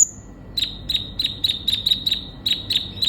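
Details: Sunbird (kolibri ninja) singing energetically, used to coax a konin into song: a brief thin high whistle followed by crisp chips repeated about every fifth of a second.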